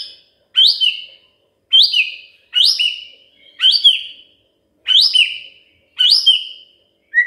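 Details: Magpie-robin sound meant to get a quiet bird singing: a high, sharp, downslurred note repeated about once a second in a steady series.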